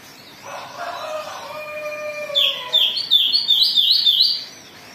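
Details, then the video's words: Agitated Oriental magpie-robin, sung to provoke rivals into singing: soft lower drawn-out whistles first, then a bright run of rapid repeated rising-falling high notes, about three per second, growing louder. "Pancingan Kacer Gacor || Suara Kacer Emosi"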